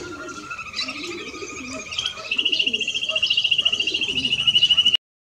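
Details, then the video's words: A male and a female European greenfinch. Twittering gives way to a long, even rattling trill of rapidly repeated notes that grows louder for about three seconds and then cuts off abruptly. "Male and Female of Greenfinch - Cantec de Florinte"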